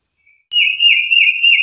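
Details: Single tufted titmouse holding one long, loud clear whistle that wavers gently up and down in pitch for over a second, preceded by a faint soft note.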